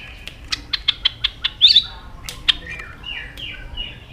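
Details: White-rumped shama song from a lure recording meant to set silent birds singing: a row of sharp clicks and short notes roughly every fifth of a second, a brief twittering burst, then softer sliding whistles.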